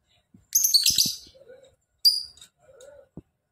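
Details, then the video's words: Vocal lovebird gives a shrill, rapid trill for about a second, followed by a lone sharp chirp and faint soft warbles; quiet pauses between the bursts. "Lovebird Gacor!!! Ngekek panjang"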